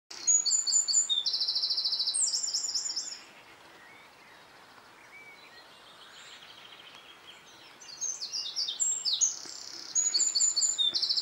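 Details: A wren sings at sunset or in a dawn chorus (both are stated), pouring out loud, rapid high trills and chattering notes in two bursts with a quieter gap between them.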